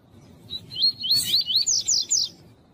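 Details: Double-collared seedeater singing the tui-tui song style, a type prized in tournaments: a quick run of bright, up-slurred whistles, then sharper rising notes that repeat about every quarter second. There is a faint low background hum.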